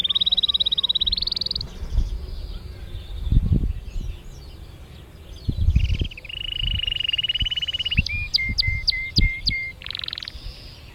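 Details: Canary in Mesaria village, Santorini, sings varied phrases: a buzzy high trill, a long rattling tour, then sharp clicked notes and a short trill, with low knocks and rumble between.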